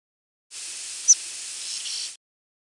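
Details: A Palm Warbler's flight call: a single brief, high, level whistle with no modulations, ending in an abrupt drop, against a steady background hiss.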